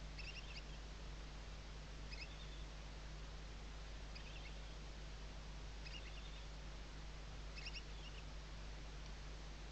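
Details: Western barn owl chicks beneath the mother's wings at a webcam nest, Ebro Delta, Tarragona, Spain, 2023 season; brief high chittering clusters repeat roughly every two seconds, five in all, over persistent low hum and hiss.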